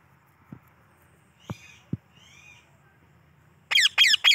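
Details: A pet yellow rose-ringed parakeet gives three loud, harsh, grating screeches in quick succession, after a quiet stretch with a few soft taps and faint chirps.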